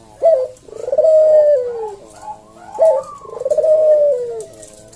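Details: Senggang-style slow coo of a puter jawa, recorded to train and lure cage birds: two phrases, each a quick sharp 'kuk' followed by a long, rounded, gently falling 'deruk' coo, with a faint hum below.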